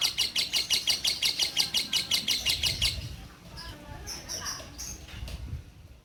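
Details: Female orange-bellied leafbird of the Bio Green type, a caged former breeding hen, singing persistently. A quick, regular burst of high, bright chips lasts about three seconds, then gives way to scattered softer notes and low background murmur.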